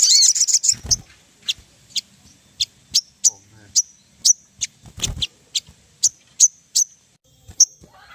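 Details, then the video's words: Lure recording of a ruby-throated bulbul for prompting birds to sing: a short dense chattering burst, then a steady series of crisp high-pitched ticks roughly every half second, with occasional low knocks behind. "PANCINGAN SOGON PALING AMPUH SEKALI DENGAR BURUNG LANGSUNG NEMBAK"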